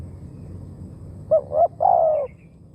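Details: A brief phrase from a decoy Spotted dove: two short hollow coos quickly followed by one long, slightly falling coo, over a soft low rumble.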